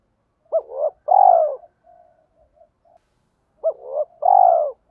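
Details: Cooing spotted dove, thổ pha đồng voice style, used as a lure for wild doves: two matching phrases about three seconds apart, each an abrupt upslurred note, a rising swell and a long mellow coo, with soft murmurs between.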